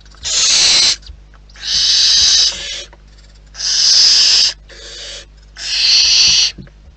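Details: Wild barn owls in the nest produce four strong, rasping hiss-screeches, each close to a second long and spaced roughly two seconds apart, softer hissing in the gaps.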